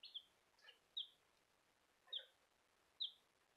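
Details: Bielefelder baby chicks calling with sharp, high, slightly falling peeps roughly once a second, alongside soft scratchy rustles between calls and steady background hiss.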